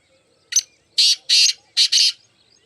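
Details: Black francolin, locally mushki teetar, giving its harsh, buzzy call: a brief opening note, two long rasping bursts, then a rapid paired burst, loud against a quiet background.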